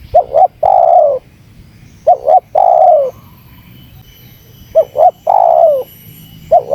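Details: Spotted dove calling to provoke wild rivals: three full phrases and the start of a fourth. Each is a brief two-note wobble, then a long soft coo that sinks in pitch, with steady gaps between them.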